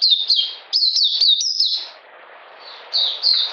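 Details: Oriental magpie-robin in cold, rainy weather, 13 June 2020: a few short bursts of fast, high chirps separated by a quiet gap of about a second, with faint background hiss.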